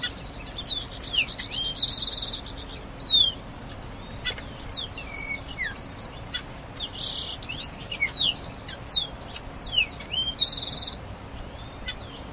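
Grayish baywing song: a lively jumble of bright, slurred whistles and sweeping notes, with a couple of short buzzy bursts and a steady low hum behind.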